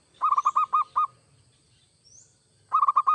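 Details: Perkutut, the zebra dove, local or Bangkok type, singing to stir other doves into song: six quick cooing notes, a quiet stretch with low background rumble, then another rapid burst begins.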